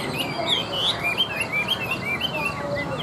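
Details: Tame Chinese hwamei in a cage placed on a table, singing a rapid sequence of clear whistled notes that swoop up and down, with little else heard.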